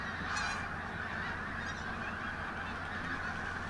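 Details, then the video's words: Pink-footed geese at Martin Mere WWT Reserve, Lancashire, on a bright 8 October 2012, with many mobile geese flying in and out; a dense, unbroken chorus of high yelping honks from a large flock, with a low steady hum beneath. "Pink- Footed Geese"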